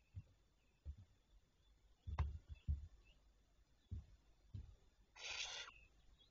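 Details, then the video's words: Barn owls on the morning of 27 May 2023, 07:52: a brief rasping, hissing screech near the end, preceded by scattered dull thuds and faint background noise. "Chouettes Effraies"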